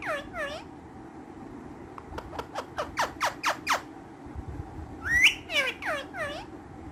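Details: Ringneck parrots, green, several kept birds that are playful and active; sharp rising-falling squawks and a rapid run of short clicking chirps, with a loud sweeping screech near the end.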